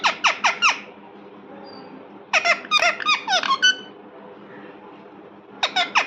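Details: Pet parrot indoors making bursts of shrill, squeaky chirps, four fast downward notes, a pause, then a denser run of about ten, and a final short burst, with a faint low hum underneath.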